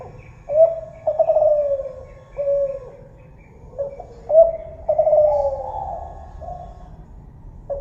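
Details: Spotted dove, called tekukur Kelantan, giving mellow cooing phrases: a short note, then longer sliding coos that fall in pitch, repeated twice with pauses between, over a faint low background hum.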